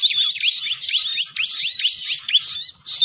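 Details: Bar-winged prinia lure call: short, piercing chirps and sweeping downward notes crowded into a continuous high chatter.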